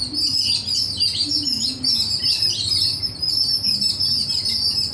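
Many birds chirp together in a dense, high-pitched chorus of quick, overlapping twitters and tweets, with a faint low hum beneath.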